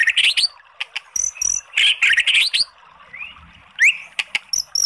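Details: White-rumped shama song meant to trigger a sluggish bird into singing: a busy mix of scratchy chatter, high thin notes and a few upward-sweeping whistles with pauses.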